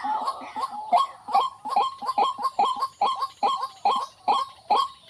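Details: White-breasted waterhen, known locally as ruak-ruak, giving a harsh, nasal croaking note repeated steadily about twice per second, each note with a short rising twang, with no other clear sounds.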